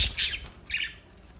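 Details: New pet budgerigars: two quick harsh squawks followed by a shorter, softer chirp, all high-pitched.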